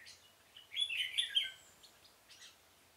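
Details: Red-whiskered bulbul used as a decoy to lure wild birds for trapping in a pomelo garden, 25 October 2017, delivering one lively warbled phrase of clear rippling notes with faint high chirps around it.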